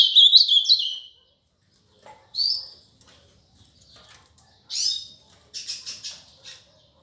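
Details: Ultramarine grosbeak singing the song style known as canto Paraná: a fast burst of high chirps, then separate short sweeping phrases after pauses, with clicky notes near the end.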